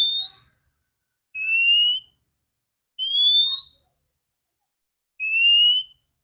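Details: Female Oriental magpie-robin, used to stimulate males to sing: clean high whistled notes, each rising slightly, repeated about every one and a half seconds, four times, with silence between.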